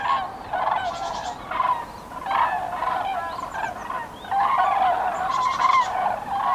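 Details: Migrating flock of common cranes heading to breeding grounds, recorded in Nouvelle-Aquitaine, France, on 8 February 2017: repeated loud, rolling trumpet calls from many birds, overlapping in uneven bursts.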